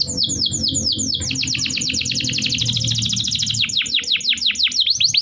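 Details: Energetic canary song with repeated falling whistles flowing into a dense rapid chirping roll and back to spaced swooping notes, played to coax quiet canaries to sing; low background hum present.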